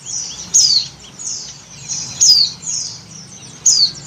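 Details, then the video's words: Female Oriental white-eye in breeding condition calling to the male: high, thin descending whistled notes repeated about every one and a half seconds, with soft twittering between them. "Suara Burung PLECI BETINA Birahi MEMANGGIL JANTAN"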